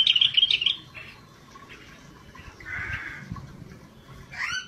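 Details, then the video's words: Scaly-breasted bulbul song in gacor style opens with a fast bubbly whistled trill, falls quiet except for a soft hoarse note, then ends with a sharp, sliding, slurred call. "Cucak Bersisik GACOR DORR"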